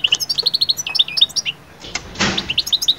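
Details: European goldfinch twittering to bring birds out of moult into breeding-season mood: rapid runs of short, bright, evenly repeated high chirps, paused by a brief rushing noise burst before the chirps resume.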